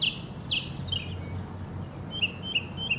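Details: Northern mockingbird in Hermann Park, Houston, Texas: two loud, harsh descending notes, then a few quieter, sharp, repeated chips at the end, over distant low rumble.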